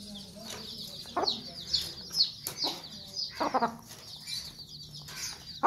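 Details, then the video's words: Sussex hen defending chicks, abrupt gruff clucks roughly once a second while the chicks keep up dense high peeping in the background. "Mother Hen Protecting Chicks | Cute Mama Hen and Chicks Video & Mother Hen Make Angry Sounds"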